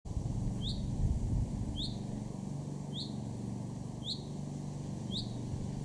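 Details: A male Common Chaffinch in a garden in Weener, East Frisia, northwest Germany, June 2024, gives a short, sharp, slightly downslurred call about once a second, five times, over a low rumble of distant traffic.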